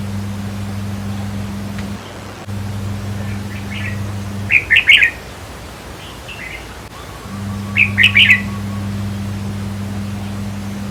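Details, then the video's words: Red-whiskered bulbul song meant to excite caged birds at a trap cage: two bright bubbling phrases of three or four quick notes, about three seconds apart, with softer notes before and a low background hum. "ต่อเพนียดนกกรงหัวจุกแก้มแดง เปิดให้นกฟัง ยั่วให้นกคึก"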